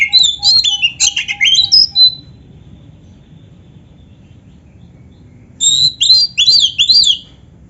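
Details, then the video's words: Kacer, the Oriental magpie-robin, in a master song with canary fill-ins: two short bursts of jumbled, fast, high chattering notes separated by several seconds of quiet. "suara Kacer gacor isian komplit | Masteran Kacer ISIAN Burung Kenari"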